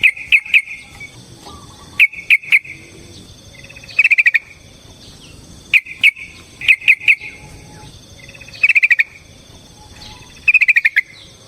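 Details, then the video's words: Yellow-vented bulbul fighting-song lure: short clusters of sharp chirps and quick trills, repeated about every two seconds with quiet gaps between. "Suara Burung TRUCUKAN gacor TARUNG ROPEL PANJANG pancingan trucukan agar JADI trucuk gacor EMOSI"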